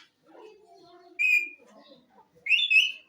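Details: A pet rose-ringed parakeet mimics speech, saying "mian mithu chori khani ha", in a low, muffled murmur broken by two loud, harsh squawks.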